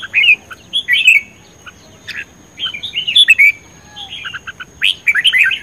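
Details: Red-whiskered bulbul in energetic contest singing, repeated loud phrases of cheerful whistled and warbled notes, each lasting about half a second, separated by brief gaps, with a faint continuous high-pitched hum throughout.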